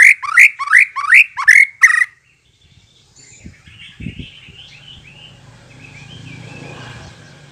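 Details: White-rumped shama song played as a lure to make shamas answer and sing out: six loud, rising whistled notes with a harsh edge, repeated quickly over two seconds, then quiet distant chirping and low rumbling.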